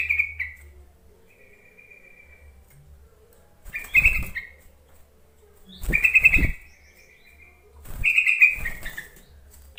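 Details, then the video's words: Yellow-vented bulbul call meant to coax silent bulbuls into song: three bursts of bubbly, warbled chirps about two seconds apart, each with knocking and rustling noise. "Suara panggilan trucuk untuk memancing trucukan bahan ombyokan malas bunyi"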